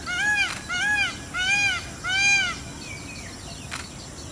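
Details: Four evenly repeated, nasal, arched calls from an Indian peafowl, each under half a second, with background hiss and a couple of sharp clicks.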